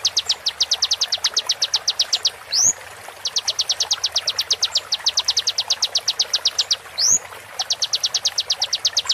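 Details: Slowed konin master song for teaching competition birds: dense trains of high, staccato, downward-stroked notes, each train ending in a single upsweeping whistle, twice over.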